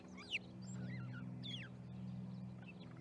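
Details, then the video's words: Starling flock at an osprey nest in Charlo, Montana, on 10/07/2019: slurred whistles, some rising and some falling, and squeaky notes in quick succession over a steady low electrical hum. "Starling Party"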